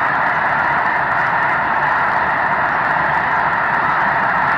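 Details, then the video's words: Huge flock of snow geese, part of about 750,000 counted on March 13, taking to the air before sunrise: a continuous, near-deafening roar of countless overlapping honks with no gaps. "Snow Geese Blastoff"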